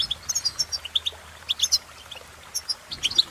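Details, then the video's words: Bright, clear chirps of European goldfinch song, some rising sharply, come in quick groups of two or three with a short lull in the middle before the twittering resumes. "innovative Ways To impress The Goldfinch With Bird Melodies"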